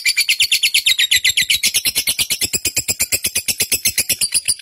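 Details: Pet lovebird of the fighter type, its song used as a lure to provoke and train other caged birds to sing: a fast, steady run of harsh, buzzy chirps, about six per second, sustained throughout.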